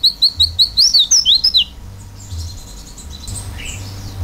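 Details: Oriental white-eye singing a fill-in style song: around ten clear, high whistled notes in quick succession that rise then swoop downward, followed by a quieter stretch with faint chirps.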